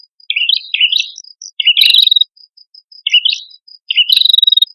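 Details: Male and female red-headed prinia singing as a lure: four short, high, scratchy warbled bursts spaced by pauses, the later ones ending in a clear level whistle.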